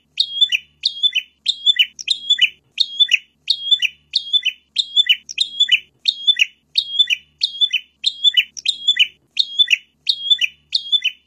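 A prinia gives a steady string of short, high, twittering notes, roughly one or two a second, with a sharp chirpy rhythm and nothing else heard.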